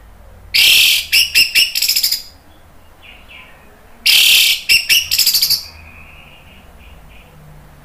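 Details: Lure recording of an orange-headed thrush to make other birds answer: two loud, raspy chattering bursts of rapid notes, about four seconds apart, with faint softer whistles in between.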